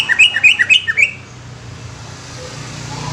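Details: Greater green leafbird song burst lasting about one second: six quick, chirpy whistled notes zigzagging up and down, followed by a steady background rumble with no further calls.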